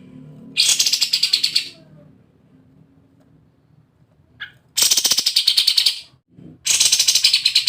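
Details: Sooty-headed bulbul in an excited 'ngebren' rattling style, used as bait audio to make other birds sing: three harsh, buzzy bursts of rapid rattled notes, each about a second long, separated by pauses, with a faint low hum beneath.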